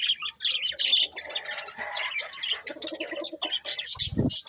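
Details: Budgerigars chirp and warble in busy overlapping phrases, scratchy and twittering, with a brief lower rattling burst near the end.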